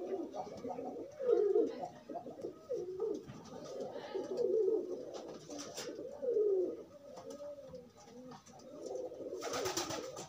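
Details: Free-roaming pigeons pairing in courtship, giving repeated low throaty coos in wavering phrases, several overlapping, with a short rustling burst near the end.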